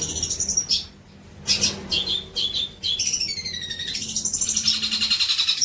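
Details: Long-tailed shrike song for training young birds: rapid buzzy chatter, scratchy notes and short level whistles, then descending sliding whistles leading into a dense high trill.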